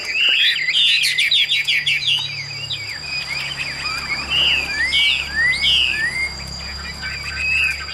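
A Chinese hwamei sings a loud, varied run of slurred whistles and rapid chattering notes, with a steady high whine and low hum behind it.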